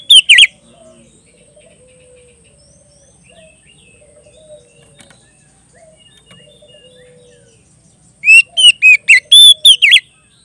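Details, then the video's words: Oriental magpie-robin challenging a rival with open, ringing 'ngeplong' song: a short whistled fragment at the start, a long near-silent stretch with soft distant chirps, then a closing run of about six loud, sharp whistled notes. "suara burung kacer gacor ngeplong memanggil lawan"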